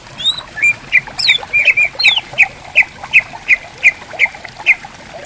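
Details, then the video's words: Greater green leafbirds answer each other in bamboo forest on a riverbank: a series of sharp, ringing chips repeated roughly every third of a second, with a few higher whistles at the start and gently gurgling water. "Suara Burung Cucak Ijo Gacor Di Hutan Bambu Bersautan"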